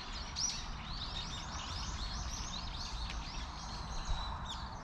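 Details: Tree sparrows crowded into a persimmon tree give a run of quick, bright, down-curving chirps in close succession, with a constant low rumble underneath.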